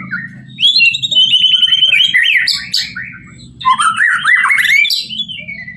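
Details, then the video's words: Murai batu, or white-rumped shama, singing a full-isian masteran: long high whistle, then tumbling buzzy and rattling phrases, a short pause, then another burst of rising scratchy notes; low background hum throughout. "murai batu"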